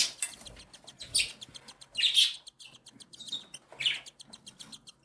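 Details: Three cockatiel chicks aged one and seven days beg as their mother feeds them; rhythmic fast ticking pulses interrupted by three loud wheezy, rasping squeals.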